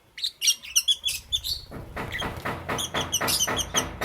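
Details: Green, yellow and lutino lovebirds kept as pets, chirping in the morning: bright high chirps in a quick run, then a steady series of harsh rasping pulses about four per second.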